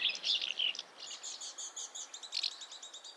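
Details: Rapid chirps from a house martin: a cluster of buzzy twitters at first, then a quick series of short, evenly spaced clicks and tweets.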